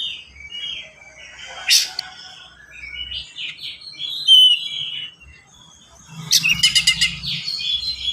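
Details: Oriental magpie-robin in energetic, fast, dense song with varied fills, played to stimulate and teach other magpie-robins: whistled phrases broken by a loud click, a clear high whistle, then a rapid stuttering burst of sharp notes.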